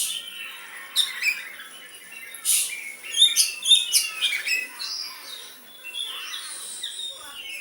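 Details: Kept white-rumped shama singing sooty-headed bulbul-style phrases: a loud opening burst, then quick sharp chips and rasps mid-clip, fading into softer gliding whistles.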